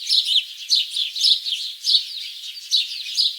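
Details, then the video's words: Forest birds chirping: a busy overlapping chatter of high squeaky tweets, pulsing in quick uneven bursts over a soft hissing background. "Bird Chirping Sounds-Birds Chirping in the Forest"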